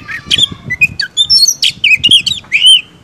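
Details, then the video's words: A caged white-rumped shama gives an energetic song of quick chirps, rich whistles and short slurred notes in rapid irregular bursts, over faint low rumbling. "kicau kacer ini, kacer bakal ngamuk || kacer gacor"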